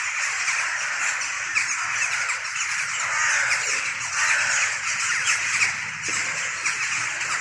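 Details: Jackdaws, hooded crows and rooks gathered before dawn in trees and circling overhead in a large cloud, typical before frosts; overlapping caws and harsh squawks form a steady noisy din from the crowd.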